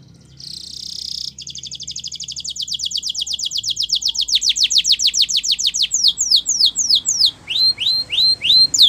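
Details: Canary champion training song starting with a steady buzzy tone, then a long series of rapid sweeping notes that slow and loosen, ending in repeated rising whistles.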